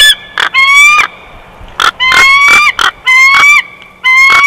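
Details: Loud bald eagle chortle from the Big Bear Valley nest cam, June 2021. Long, rising whistled notes with rich overtones are separated by short, sharp squeaky pulses in an uneven sequence.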